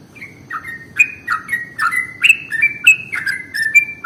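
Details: Sooty-headed bulbul used as a lure to attract bulbuls: a steady string of loud, clipped chirps, each a sharp note sliding downward, delivered roughly three per second over a quiet background.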